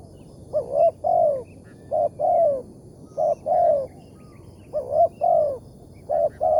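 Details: Spotted dove, a wild bird with a big voice, targeted with a decoy in the morning. Short-then-long coo pairs repeat with brief gaps, and the long note slides downward.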